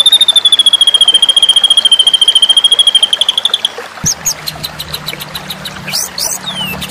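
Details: Murai batu (white-rumped shama) masteran: a long, very even rapid trill held for about four seconds, followed by scattered fainter chirps and slurred whistles with low background hum.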